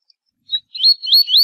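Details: Rusty-collared seedeater singing the tui tui zel zel tournament song, used as a tutor for young birds: one short clear note, then a run of bright, slurred, rising whistles with no other sounds.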